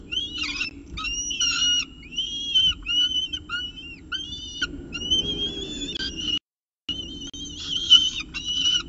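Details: Peregrine falcon at its nest with a second meal at 9:53 am on 2 November 2018, CSU Orange; loud, harsh wailing calls with rich harmonics, given in bursts of varying length with brief pauses, over a low constant rumble.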